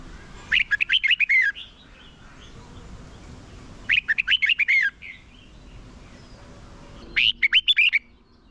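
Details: Decoy red-whiskered bulbul giving a fighting song to call in and train birds for singing contests; three repeated warbled phrases of six or seven sharp slurred notes, spaced roughly three and a half seconds apart.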